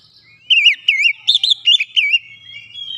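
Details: Oriental magpie-robin singing after a lure recording, emotional and insistent: a run of loud, wavering whistled phrases around mid-high pitch, about six notes in quick succession, then quiet.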